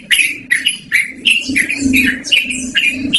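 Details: Clear, loud yellow-vented bulbul (trucukan) song meant for luring or training birds: bubbly, slurred notes run together in a quick chain of about seven, with a faint low hum beneath.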